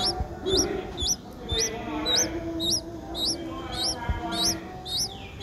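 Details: Seven-day-old streak-eared bulbul nestling, a common resident, recorded in Ubon Ratchathani, Thailand, on 9 April 2023: thin, high, sharply upslurred calls repeated nearly twice a second in a steady series, over a faint low background hum.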